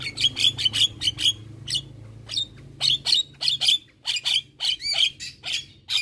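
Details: Javan myna chattering nonstop in captivity, harsh squeaky whistles and grating notes delivered in quick irregular bursts, some clear upslurred whistles among them, with faint low background hum.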